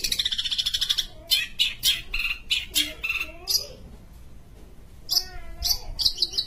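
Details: A Sumatran long-tailed shrike sings energetically: a fast, buzzy high trill, then a jumble of scratchy chatters and short whistled phrases.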